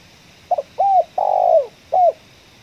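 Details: Spotted dove with a ngeruk, kuk 1 voice, recorded while luring doves in a coffee field: a clipped double note, a bowed coo, a long vibrating note drooping at its end, and a final short coo.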